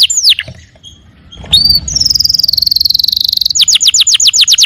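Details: Canary song opening with a falling slurred whistle and a short pause, then a long fast high rattling trill followed by a run of crisp repeated downslurred notes.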